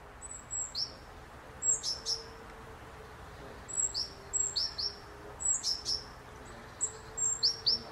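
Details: Great tits feeding calmly at a window feeder, mainly around nine in the morning and midday, taking nuts and seeds: high, thin two-part notes, each dropping in pitch, given in small clusters every second or so.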